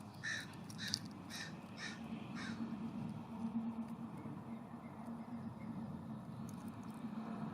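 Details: California scrub-jay at a ground feeder on a warm September morning, on a hillside above a cabin, gives about five harsh, raspy calls in quick succession, roughly two per second, over a steady low mechanical hum.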